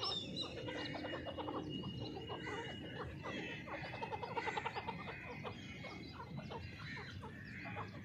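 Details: Partridge (teetar) calling in a dense run of harsh, clucking and clicking notes over a steady hiss, with a faint drawn-out whistled tone early on and a louder burst of calls near the middle.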